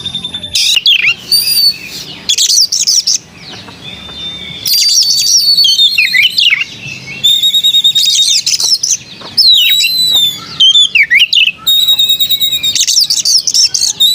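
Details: Melodious song of a white-rumped shama: long bursts of loud, varied whistles, rapid trills and sharp sweeping notes, separated by short pauses.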